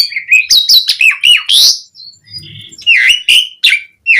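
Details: Javan pied starling pouring out rich, energetic song meant to coax other starlings into singing. It opens with a quick series of chirpy whistled notes, pauses with a faint tone, then gives downslurred sharp whistles.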